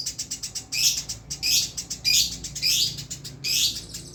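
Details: Eurasian tree sparrow in unbroken 'rol' song: loud, sharp, high chirps delivered in quick succession, a stronger note about every 0.6 seconds with softer rapid ticks between, no pauses, quiet background.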